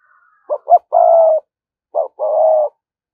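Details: Decoy spotted dove cooing in thúc gù fashion to lure wild doves: two quick short coos lead into a long, steady hollow note, then after a pause one short coo and another long drawn note.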